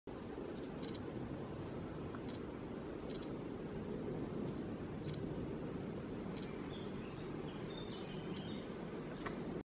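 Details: Long-tailed tits (Aegithalos caudatus) in Sintra-Cascais Natural Park, Portugal, give thin, very high 'see-see' calls, scattered every second or so, over a steady wash of wind or distant traffic.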